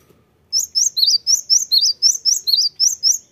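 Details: A cinereous tit's brisk song: eleven or so piercing high whistles in a steady quick series, upward and downward slurs alternating in a see-saw rhythm, against a quiet background.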